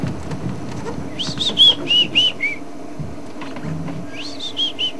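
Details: Shy White-browed Scrub Robin hidden in thick bush on a hot summer sunset drive, ring-necked doves also calling: a phrase of five or six high, clear, slightly falling whistled notes, repeated after a pause, over low vehicle rumble.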